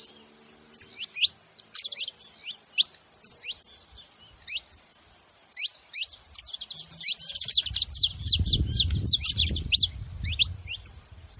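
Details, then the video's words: Saffron finch singing: high, thin chirps and downward-sweeping notes in loose groups, building into a fast tumbling chatter, with a low rustling noise underneath in the second half. "Canário da terra fazendo barulho"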